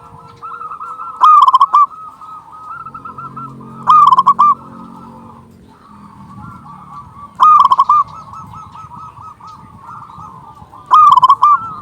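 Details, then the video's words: Loud, full-voiced local zebra dove call meant to lure doves and stimulate silent birds: four bursts of fast rolling coos roughly every three seconds, other doves cooing softly between, and a low humming drone in the middle. "Perkutut lokal gacor suara besar Panggilan burung perkutut"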